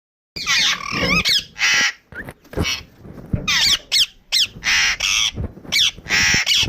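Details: Pet Indian ringneck parrot giving loud, harsh squawks and screechy calls with rapid up-and-down warbled notes, in bursts of about half a second separated by short pauses, with some quieter chatter between them.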